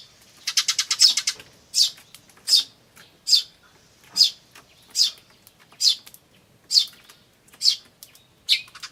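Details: Eurasian tree sparrows, chicks and adults, May 2013: a fast rattling burst of rapid notes opens, like an adult's "jyujyujyu", followed by single high chirps repeated roughly once a second.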